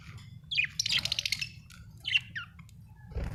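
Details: Happy budgerigar chattering: a rapid, scratchy warble of squeaks and buzzy rasps, a pause, then a few rising chirps, with a soft low thump near the end.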